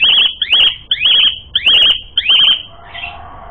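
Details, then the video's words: Asian pied starling song used as a lure to provoke fighting: five loud whistled phrases, each a quick wavering trill ending in a downward sweep, repeated about every half second, then a faint hissing tail. "Masteran Suara Burung Jalak Suren Gacor Full Isian Mewah Jadikan Suara Pancingan Jalak Suren Tarung"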